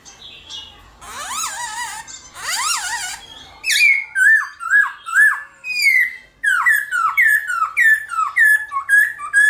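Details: Morning fighting song of a black-throated laughingthrush. Soft chirps and wavering whistles come first. After four seconds a lively run of loud, downslurred whistled notes follows, about two per second, with a brief pause midway.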